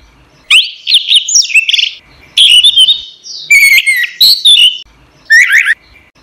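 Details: Song of a caged orange-headed thrush, recorded for training other songbirds: varied phrases of bright whistles, trills and rapid chattering notes, delivered in bursts separated by short pauses.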